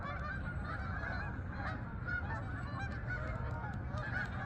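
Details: Geese heading to the fields in Farmington, Connecticut meadows, a scattering of honks heard against a heavy low rumble of wind or background noise.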